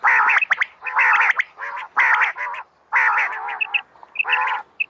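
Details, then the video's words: Female common quail (batair) calling, for use at night, 2020: harsh, gargling, rasping bursts of about half a second, repeated roughly once a second, with short clear high pips between them. No other sounds are clear. "Raat Ki Liye Batair Ki Awaz | Batair Ki Awaz | Common Quail Calling | Female Quail sounds"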